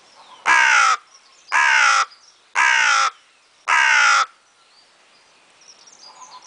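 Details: A white carrion crow in Walsrode, Germany, gives four harsh, hoarse caws, each about half a second long and roughly a second apart, followed by quiet background.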